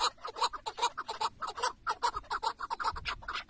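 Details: Harsh rhythmic chuk-chuk calls from a tethered chukar partridge used as a hunting decoy in Şırnak, Turkey, delivered quickly at around two to three notes per second, with faint low scuffing underneath.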